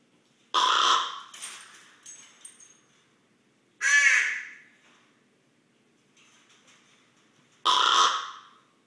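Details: Common raven, one of two captive birds, recorded close up while snoring in sleep: three loud, harsh, raspy bursts spaced about three to four seconds apart, the first trailing into softer rasping fragments, with faint scratchy sounds between.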